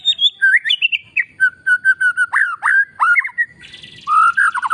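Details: Training song of an oriental magpie-robin meant to spur quiet birds to answer: varied whistled phrases, steady level notes, then abrupt downward slurs, ending with a harsher buzzy stretch over rising whistles.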